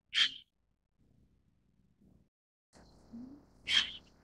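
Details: White-cheeked Starling (Sturnus cineraceus): a pair of abrupt, raspy, sneeze-like calls roughly three and a half seconds apart, separated by quiet low rumbling and a brief rising tone before the second call.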